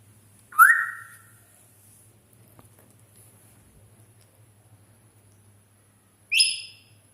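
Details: Two short whistles from a grey parrot in Dhaka, Bangladesh: a quick upward-sweeping note, then silence for several seconds, then a second bright rising whistle.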